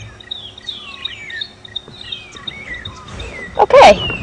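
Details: Magpie shrikes calling noisily during a morning safari drive at Djuma Game Reserve near a waterhole on 21 September 2015: a chorus of clear, sliding whistles that rise and fall, ending in a loud burst of sound.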